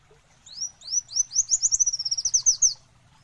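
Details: Olive-backed sunbird singing: high, thin rising notes that speed up into a fast, even trill of sharp chips, lasting about two seconds, with a quiet low background.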